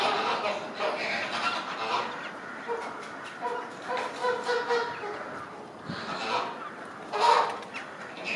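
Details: Group of Chilean flamingos displaying in sync, giving nasal, harmonic honks in overlapping runs, with louder sharp bursts near the end of the sequence.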